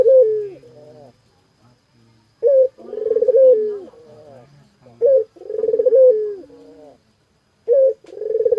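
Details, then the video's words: Repeated coo phrases of a puter dove, each opening with a brief sharp note and drawing out into a purring, slightly wavering coo that trails downward, about three phrases over nine seconds, with no other sounds. "Suara Burung Puter Gacorrr"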